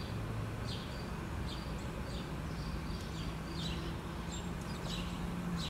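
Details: House sparrows at feeders give short, bright chirps, repeated loosely every half second or so, over a steady low rumble of traffic.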